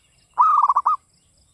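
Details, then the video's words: Singing local Java zebra dove, classic Mataram style: one short purring coo phrase, a sustained opening note breaking into three or four quick bubbling pulses, mid-pitched and clear against a quiet background. "PERKUTUT LOKAL GACOR cuman hitungan menit nyaut SUARA GARING"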